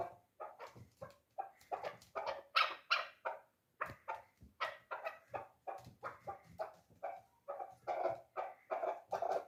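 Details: Chukar partridge kept for hunting, three years old, calling a long series of rough, clucking notes about three per second, fairly even in loudness.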